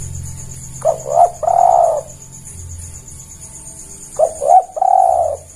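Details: Spotted dove call used as bait for catching: two cooing phrases about three seconds apart, each two quick rising notes and then a long wavering coo, over a low hum and steady high hiss.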